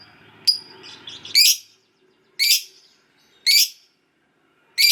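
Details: Fighter lovebird ngekek call: loud, harsh, sharp screeching notes, each brief and broad, repeated roughly once a second after a soft scratchy rustle at the start.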